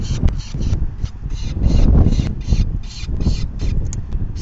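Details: Falcon begging at the nest during the fifth feeding on May 9, 2020, at 4:40 PM. Continuous harsh, scratchy notes pulse several times a second, with little pause, over a loud low rumble.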